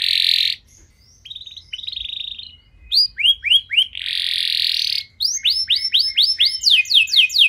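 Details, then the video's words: Lure song of a canary for stimulating other canaries: harsh buzzy blocks alternate with short sweeping whistles, building into rhythmic runs of upswept chirps near the end. "Kenari Anda Bisa Gacor Seketika Dengar Pancingan Kenari Nembak Joss Ini"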